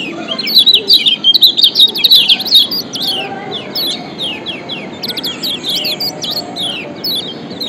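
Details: Kecial kuning white-eye from Lombok in a ciak call mix meant to coax idle birds into song: a rapid loud volley of thin, high tweets in the first seconds, then steadier repeated downslurred chirps at lower volume.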